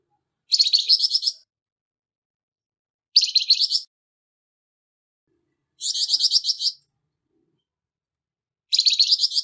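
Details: Flamboyan bird giving its harsh song, meant as tutoring material for songbirds; four short scratchy bursts of fast pulses, roughly every two and a half to three seconds, with silence between.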